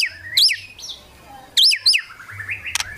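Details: White-rumped shama provoking rivals with kretekan: bold twisting whistles in two quick bursts, separated by a quiet gap, then rising notes and sharp clicks.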